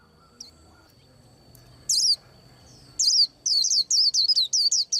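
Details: High, slurred twittering from a white-eye getting ready to moult: after quiet, one sharp note, then a rapid run of repeated descending chirps building toward the end.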